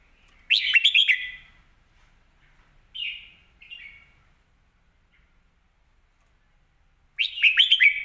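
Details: Red-whiskered bulbul in song, kept caged: a rich burst of quick warbled notes, two short whistled phrases in the middle, then another loud warbling burst near the end.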